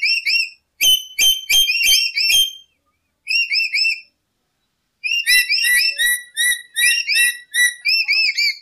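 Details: Lory song played as a trapping lure: opens with sharp clicking notes over fast whistles, a short pause, a brief whistled phrase, then a long quick run of repeated looping whistles.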